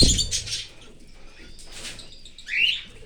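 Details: Cockatiel parent feeding a chick outside the nest in an open aviary; bursts of scratchy high chattering, a pause, then a rising rasping squeal near the end, with a knock at the start.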